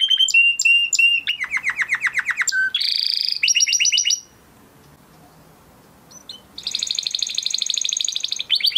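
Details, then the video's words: A male Huppe Spanish Timbrado canary from 2020 breeding sings a training song of loud, varied phrases with rapid rolled trills and bright metallic notes, broken by a short pause before a fast high rattle resumes. "Canary Singing Video"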